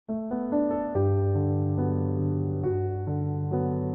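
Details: Electric piano chords played in a slow, stepping sequence, with no animal sounds.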